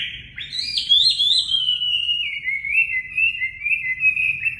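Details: Chinese hwamei singing, recorded to train caged birds' voices: a loud whistle sweeping sharply upward, then a long descending, wavering whistled phrase held steady at the end.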